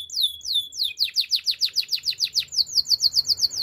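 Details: Training song of a canary, high descending whistled notes speeding into a fast rhythmic series of rolling, repeated syllables, about five per second, clear and bright.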